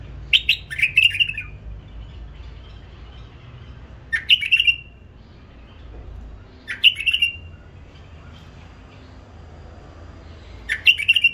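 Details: Hybrid bulbul, home-bred and trained, repeating short, bright whistled phrases of quick chirps, one burst roughly every three seconds, with quiet gaps between them.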